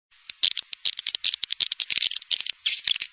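Swiftlets chatter in rapid, dry, clicking twitters, high-pitched buzzy bursts tumbling over one another several times a second, with no other sounds behind them.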